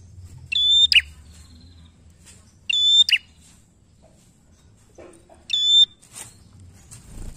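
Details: Bar-winged prinia, a vigorous singer kept to provoke song from untrained birds of its kind: three piercing level whistles ending in buzzy flicks, about two and a half seconds apart, with a faint low chatter between them.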